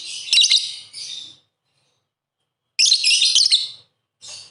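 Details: Lovebird song from lure audio for lovebirds that are reluctant to sing. Two long bursts of dense, harsh, rapid chattering, each split into quick pulses. A shorter burst closes the clip.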